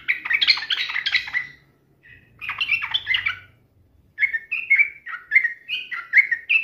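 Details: Yellow-vented bulbul in full voice, taunting a rival as a lure to provoke replies: dense bubbly chattering bursts, then a row of clear slurred whistles after a brief pause, with faint low hum beneath.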